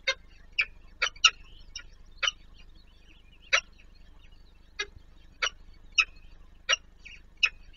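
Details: Peregrine falcon chicks being fed by an adult at the Palace of Culture and Science in Warsaw, Poland; repeated short harsh, broad-band calls roughly every half second to a second, with a steady low hum beneath.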